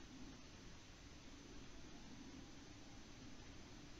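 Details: Quiet, even hiss and low background hum from a live camera feed, recorded at 18:06 on 6 March 2019.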